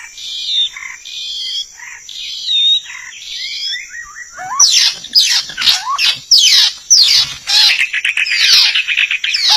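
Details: White-rumped shama call used as a lure for trapping: clear whistled phrases at mid-high pitch for about four seconds, then a dense burst of rapid chattering and sweeping notes. A steady high electronic-sounding tone runs throughout.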